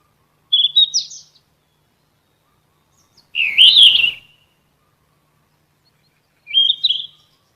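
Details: Yellow-rumped flycatcher, a Muscicapidae songbird of shrubs and trees up to 900 m, used to train captive songbirds: three short, high, twittering whistled phrases spaced about three seconds apart, the middle one louder and buzzier, with near silence between.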